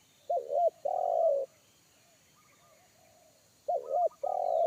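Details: Wild forest spotted dove, deep bass 'kuk satu' caller that scared a lure bird; two low phrases about three seconds apart, each a wavering double coo followed by a sustained coo, soft chattering notes in between.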